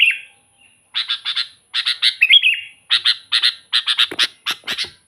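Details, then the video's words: Lively Sooty-headed bulbul song meant for luring and tutoring: clusters of quick bright chirps with a short rising-and-falling whistled flourish midway, then a steady stream of sharp notes. "suara burung kutilang gacor full buat pancingan kutilang pikat"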